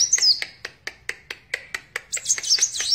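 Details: Sunbird (kolibri wulung) opening with a brief high twitter, then a row of crisp, evenly paced dry ticks, followed by another burst of very high, sweeping notes.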